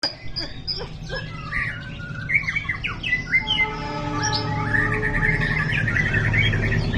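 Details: White-rumped shama, described as a champion songbird across all classes, gives a varied stream of clear whistled notes and slurred phrases. Later the notes merge into a dense, continuous warble over a steady low hum and background noise.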